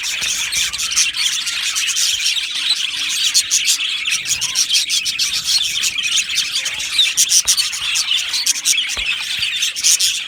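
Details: An aviary colony of budgerigars chirps and warbles nonstop, many birds overlapping in a fast, scratchy, high-pitched chatter with quick ticking notes throughout.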